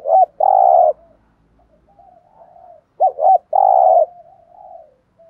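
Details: Spotted dove, locally cu gáy, giving its "thúc gù" lure call for attracting wild doves. Two phrases about three seconds apart, each a quick doubled note and a drawn-out, husky low coo, with soft trailing cooing after each.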